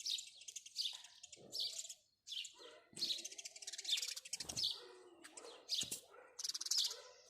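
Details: Repeated scratchy chirps from a house sparrow, delivered in irregular bursts with short pauses, alongside light clicking and low background rustling.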